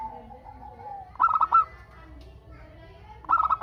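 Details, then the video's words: Local zebra dove in full song, meant to draw answering calls from other doves. Soft lower whistled notes come first, then two quick stuttering bursts of bright cooing pulses about two seconds apart. "Perkutut Lokal Gacor Untuk pancingan kutut perkutut agar saling bunyi BERSAUTAN"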